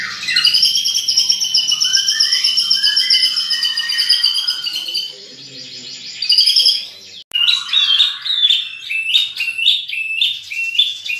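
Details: Champion white-rumped shama (murai batu) delivering rich mimicked material: long sustained high warbled whistles with trills beneath, a brief pause, then rapid repeated chirping phrases rising and falling.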